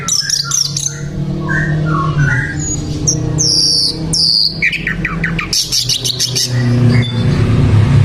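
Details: Sikatan londo flycatcher in energetic song, mixing clear whistled slides, rising notes and harsh scratchy bursts, heard over a loud steady low hum.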